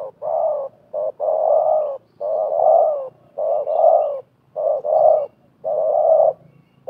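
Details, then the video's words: Spotted doves in Indonesia, a wild bird and a caged decoy used for trapping, calling against each other in a contest. Hoarse, mid-pitched coos come in tight groups of two or three notes, with a new burst roughly every second. "TERKUKUR LIAR DAN PIKAT BERADU/BERLAGA HEBAT"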